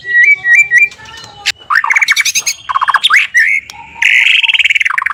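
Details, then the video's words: White-rumped shama pouring out a morning lure song that prompts other shamas to respond: a stepped whistled figure repeated three times, then loud, buzzy, swooping phrases and a dense rattling trill. "Murai Batu Malas Bunyi? Coba Pancingan Ini, Langsung Rajin Ngicau!"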